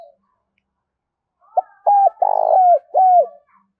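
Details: Tame decoy spotted dove calling loudly in rural Dong Nai, Vietnam, used with a loudspeaker to lure wild doves: after silence, a short note, then mellow hooting coos including one long buzzy middle note, ending with a falling coo.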